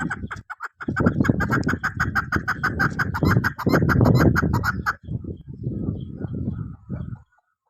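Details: A female chukar partridge kept as a hunting decoy gives harsh, clucking chuk notes in fast runs of about three per second, with some lower, muffled background noise.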